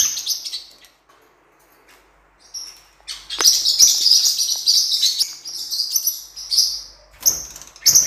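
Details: Blue-winged parrotlet, cuiubinha, recorded for training: a few high chirps, a quiet pause, then several seconds of busy, shrill, continuous twittering with sharp tweets near the end.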